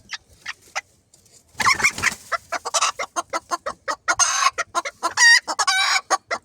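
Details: Decorative dwarf bantam chickens, a flock that includes a young rooster, kept live: rapid sharp clucks in quick series, a loud noisy burst, then short tonal harsh calls among continued clucking.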